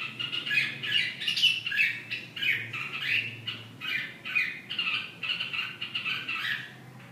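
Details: Red-whiskered bulbul in a rapid, scratchy chatter of overlapping slurred notes that rise and fall, keeping up an unbroken busy phrase throughout.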